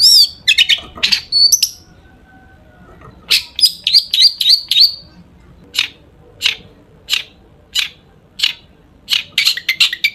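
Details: Long-tailed shrike singing, full of imitated phrases, used to stir other shrikes into song: a mix of whistled slurs and scratchy chirps, then a series of sharp, dry chips repeated roughly every half second.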